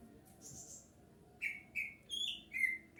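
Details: Bulbul singing to draw replies from other bulbuls: a thin high chirp, then four loud whistled notes stepping up and back down in a lively phrase.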